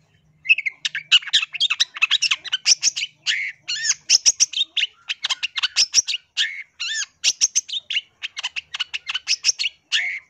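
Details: Long-tailed shrike in full, clear song, used as a lure for wild birds: a long, dense run of varied chatters, buzzes and looping whistled notes delivered almost without pause.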